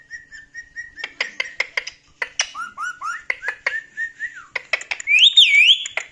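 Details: Chatty male pet parrot indoors, reacting to his funny clips with laughter; fast series of short sharp clicks and harmonic syllables around steady whistled tones, ending in a loud warbling whistle.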